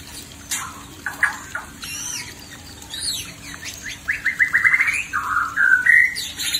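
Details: A male white-rumped shama facing a fierce female delivers varied whistled phrases that build into a rapid series of rising notes, ending in sweet drawn-out whistles.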